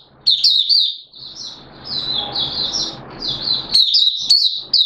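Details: Oriental white-eye from Malaysia (mata puteh) in buka sing, Singapore, 29 March 2023, warm humid weather with sudden showers. Bright, high chirping phrases open and close the passage, with a quieter, noisier stretch of softer twitter between.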